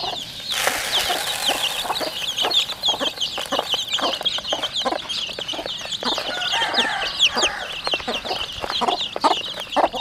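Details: Flock of 40-day-old chickens raised at home in a rural setting, giving a dense, continuous chorus of high, thin peeps overlapping throughout, with scattered lower clucks and knocking sounds beneath.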